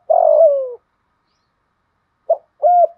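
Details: Spotted dove in the 'thổ' voice style, cooing to provoke a rival male. A long coo slides downward, then after a two-second pause comes a short note and a rising hoot as the next phrase starts.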